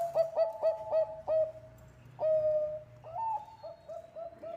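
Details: Zebra dove, Bangkok type, singing as a lure: a rapid series of short coos, a long held coo, then a rolling sequence of quicker pulsed coos.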